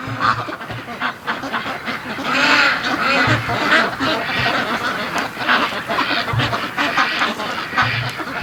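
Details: Free-range domestic ducks raising a pre-dawn racket around 4:30 am, described as happy ducks undisturbed by predators; a thick mass of overlapping quacks and honking notes with low thumping sounds underneath.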